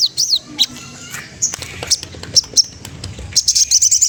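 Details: Magpie-robin sounding off to tease a rival: scattered high sharp chips and short whistles, ending in a quick run of high trilled notes.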